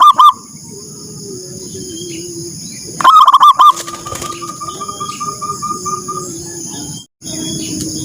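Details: Zebra dove in the morning calling to rouse others. A short loud cooing burst at the start, another rapid series of notes around the third second, then quieter background chirps and a steady high-pitched drone.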